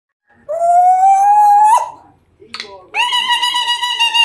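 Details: Grey parrot indoors giving a long clear whistle that rises slowly, ending in an abrupt break, then a short harsh burst and a steady rich tonal call with many overtones; a small room echo is audible.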